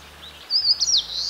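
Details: An Eastern Crowned Warbler in the woods of Kita-Harima, Hyogo, on a fine, mild day gives a brief, high, thin phrase likened to 'tsuru-chiyo-gimi': slurred whistled notes rising to a sharper, slightly buzzy end, over faint low hum.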